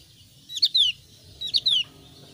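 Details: Two crisp phrases from a thin-browed Javan grey-throated white-eye, each a quick high chirp followed by a longer downward-slurred whistle, the phrases spaced about one second apart, with a low hum beneath.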